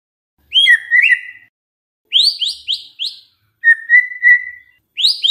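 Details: White-rumped shama song used as a lure to get other shamas singing actively: short clear whistled phrases, a fluty level note and quick rising slurred notes, given in bursts separated by brief pauses.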